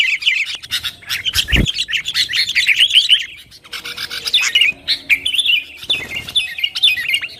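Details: Sooty-headed bulbul chattering busily, played to provoke rivals and get kept birds singing: rough, bubbly warbling with clicks, a sharp knock early on, steady chatter throughout.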